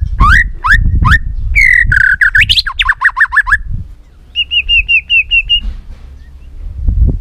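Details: Tail-flicking white-rumped shama in a rich many-voiced song: rising whistles, a fast rattling series of chirps, then a clipped run of about eight level notes, over low background rumble.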